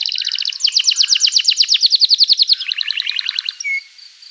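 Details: Lively canary song meant to coax young canaries into learning to sing: dense rapid chirped trill with strong overtones, shifting to a softer, lower-pitched series of quick notes and ending on a short clear whistle.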